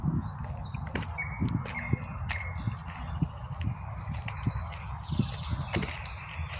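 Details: Several wild birds singing at midday in spring: short whistled notes and chirps, some repeated in quick series, over a steady low rumble of traffic from a nearby highway.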